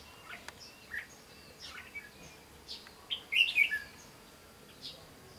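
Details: Decoy red-whiskered bulbul of the 'bell voice' type singing during bird trapping on 15 June 2016. Scattered short chirps build to one loud, rich warbled phrase near the end, with a man's voice heard just after.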